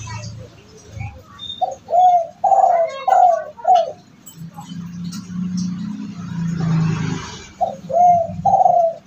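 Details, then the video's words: Spotted dove of the sought-after tumpang sari voice type, whose multiple kuk notes are believed to bring good fortune to its owner; mellow hooting coos come in short phrases, then a pause filled with low rumbling noise, then another phrase. "Jenis Suara derkuku yang dicari orang"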